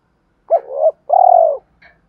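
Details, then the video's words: A decoy spotted dove calls thúc rút fashion to bring wild birds in fast for a fight. A hooked note runs into a softer coo, then a long, loud, pulsing falling coo follows. A faint higher chirp sounds at the end. "Chim Cu Mồi, thúc rút và đấu với chim rừng nhanh về"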